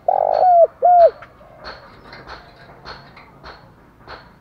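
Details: Spotted dove giving stimulated cooing: two loud coos, the first long and slightly falling, followed by soft clicks and taps.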